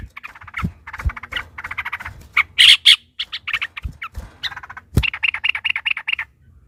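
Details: Excited yellow-vented bulbul in long rolling song aimed at provoking a rival's reply: buzzy churring runs, two sharp shrill bursts midway, then an evenly pulsed rattling trill.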